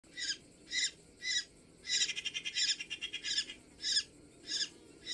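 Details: Great spotted cuckoo calling: harsh, rasping bursts repeated about twice a second, with a quicker run of chattering notes in the middle.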